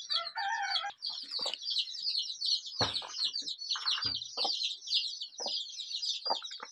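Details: Many desi chicks, colorful rainbow-dyed young of a local chicken breed, keep up dense high-pitched peeping throughout, broken by a few short, lower bursts and scratchy knocks.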